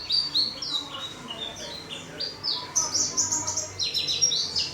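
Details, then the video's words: Small-caged warbling white-eye giving hurried, high twittering song: clustered quick chirps and slurred notes in rapid bursts, some slightly lower buzzy phrases between them. "Burung Pleci rajin berkicau di sangkar kecil"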